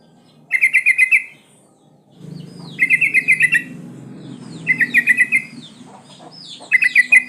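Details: Female sooty-headed bulbul in breeding condition calling to males. Four bursts of quick, liquid chattering notes come every two seconds, with softer downslurred whistles from other birds and a low rumble between.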